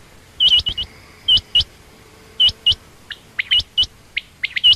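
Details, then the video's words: A female quail, given as common or rain quail, calls in loud, high, hooked notes in twos and threes, broken by short pauses, with a faint steady hum behind. "common quail/Rain quail sound)chinga batair ki Awaz)Звук самки перепела"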